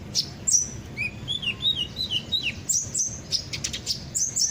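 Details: Lure song of a sunbird ('kolibri ninja') to draw birds into singing: a softer run of descending whistled notes, framed by sharp high chirps, over a hissy background.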